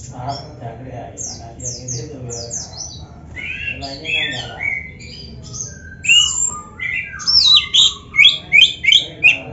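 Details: Oriental magpie-robin, used as a tutor for caged birds: quiet high descending notes over a low hum build into loud varied whistles and a rapid series of repeated bright chirps.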